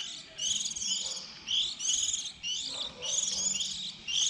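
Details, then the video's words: Fledgling white-eyes at season's start in 2020, recorded to lure birds to traps: bright, high twittered phrases about a second long, separated by brief quiet gaps, with a faint lower note in between. "Tiếng khuyên non đầu mùa 2020"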